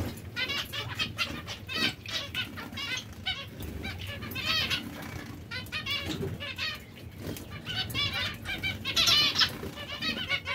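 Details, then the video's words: Zebra finches kept as breeding pairs, repeating nasal, trumpet-like stacked notes in rapid rhythmic series, several birds overlapping, with light rustling and wingbeats behind. "Diamante mandarino/coppie riproduttive"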